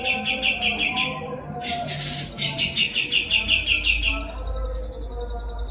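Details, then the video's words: Kapas tembak, a bird kept as a song tutor for young magpie-robins, singing fast, tightly packed trills of repeated sharp high notes in long runs with brief breaks, over a faint low hum. "Kapas Tembak Gacor"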